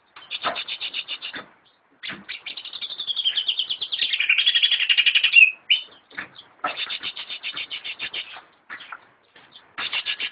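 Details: Caged greater green leafbird in full song, bursts of fast rattling chatter alternating with a sustained buzzy warble, broken by short silences.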